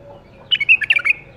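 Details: Captive-bred bulbul from the 2018 breeding season sings one short, quick phrase of bright, warbled, liquid notes that jump up and down, lasting about half a second, over a quiet background.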